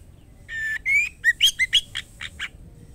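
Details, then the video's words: Female white-rumped shama calling the male: two sustained whistles, the second rising, followed by a quick burst of short sliding chirps and several evenly spaced harsh notes. "murai batu betina gacor memanggil jantan white rumped shama"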